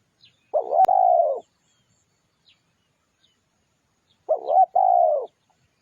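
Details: Spotted dove lure recording, used to draw wild doves in quickly: two low cooing phrases, each a short wavering coo then a longer steady falling coo, separated by about three seconds of silence.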